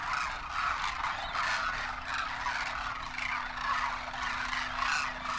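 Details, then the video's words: Dense, unbroken babble of overlapping rolling calls from a large wintering flock of Demoiselle Cranes foraging near a waterhole in the dry country of Kheechan village, Rajasthan, India, with a faint steady low hum throughout. "cranes sound while foraging"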